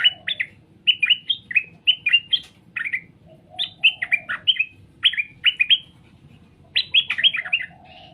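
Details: Straw-headed bulbul singing, meant to draw answers from other birds: rich, rolling warbled phrases of several quick whistled notes, repeated steadily in bursts with short gaps.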